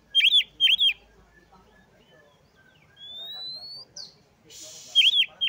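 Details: Oriental magpie-robin singing, played to stir a sluggish bird into full song: repeated loud arched whistled phrases at the start and end, with a long rising thin whistle and a short buzzy burst between.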